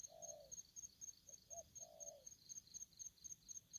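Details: Aggressive spotted dove giving a long, low, husky coo, then a short clipped note and another long coo, all over rapid, regular high ticking in the background.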